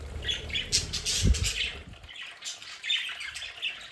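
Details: Pet budgerigars in a home play area chirp and squawk in short scratchy bursts, with a brief knock and low rumble near the start.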